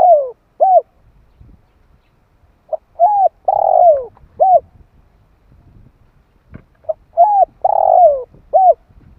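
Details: Lure call of a spotted dove for stirring decoy birds and training young doves. Two full phrases about four seconds apart, each a clipped note then three mellow coos, the middle one drawn out and burry. Faint rustles and a click between them.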